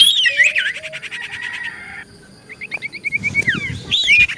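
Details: Common iora lure song meant to draw answers from other ioras: curling whistles and a buzzy trill, a low sustained whistle, then a quick series of short repeated notes.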